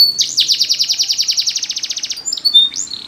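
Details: Canary singing for training: a loud, rapid, evenly pulsed trill lasting nearly two seconds, followed by brief high chirps and a rising whistled note.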